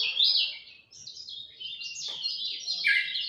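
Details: Dawn song of a lemon-bellied white-eye: loud, unbroken high twittering and scratchy chirps over faint low background rumble.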